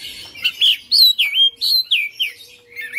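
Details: Oriental magpie-robin, kept at home and singing persistently as a fighter-type bird: a string of loud, evenly spaced slurred whistles that drop then level off, each about a fifth of a second long.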